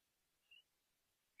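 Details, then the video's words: White-eared puffbird (Nystalus chacuru) song: two brief, high whistled notes about a second apart over a faint, quiet background. "Canto Do Pássaro JOÂO BOBO"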